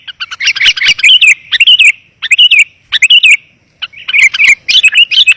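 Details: Lure recording of a sooty-headed bulbul meant to call wild birds down: busy runs of bright chirps and liquid, wavering warbles, packed tightly, with a short pause before the final burst.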